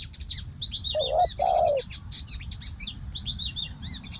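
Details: Decoy spotted dove set on the ground for bird trapping, giving a low two-part coo, a short note then a longer falling one, while many small birds chirp loudly and continuously at higher pitch throughout.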